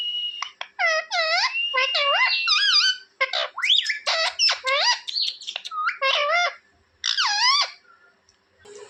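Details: Pet talking parrot, kept at home, chirping loudly: a string of sharp, rising and falling whistled squawks and chirps in quick bursts, with short pauses between phrases and a faint low hum beneath.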